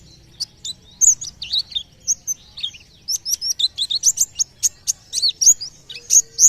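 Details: White-eye song, believed to draw nearby birds into singing: rapid, high, thin chirps and twitters, some falling and some rising, speeding into a dense run of sharp notes in the second half.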